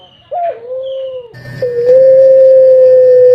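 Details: Captive Barbary dove of the Indonesian puter pelung type, a black-collared cage bird whose voice is rendered "kuk geruk kwaakk": a short wavering note, a brief break, then one long, steady, level coo held to the end, with low background hum.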